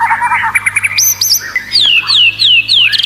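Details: White-rumped shama training song for competition birds, rich in unusual sounds: loud, varied whistled phrases with quick chattering notes, then a series of clear, falling slurred whistles repeated about every half second.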